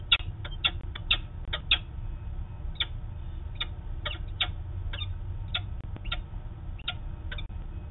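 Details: An adult female peregrine falcon heading to a roof in Manchester, New Hampshire, 13 August 2018, gives a series of short, harsh, scratchy notes, two or three a second and unevenly spaced, over steady low city noise.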